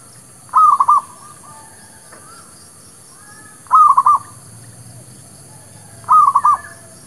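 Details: Zebra dove, a local village bird, recorded as a lure song for trapping and for newly caught birds: three short stuttering cooing phrases of rapid pulsed notes, spaced about three seconds apart, over a quiet background.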